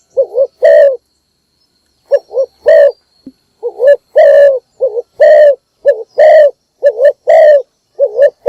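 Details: Spotted dove kept as a decoy, giving its morning call to bring in other doves. After one opening coo pair and a pause, wavering and steady deep coos alternate in a quick, uneven series.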